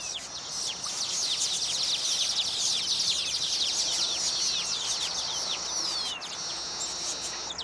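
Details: Many baya weavers perform a mating display at their completed nests. High, rapid chattering and wheezy trills overlap continuously, with a long descending whistled note near the end.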